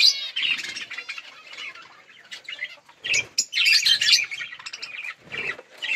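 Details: Budgerigars eating and playing, producing bursts of buzzy, scratchy chirps and chatter with short gaps, and a louder burst of overlapping calls midway.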